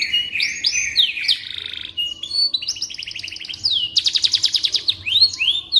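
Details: Canary in full song, a tutor recording for magpie robins: looping warbled whistles, a level buzzy passage, a fast trill series and closing upward-curving whistles.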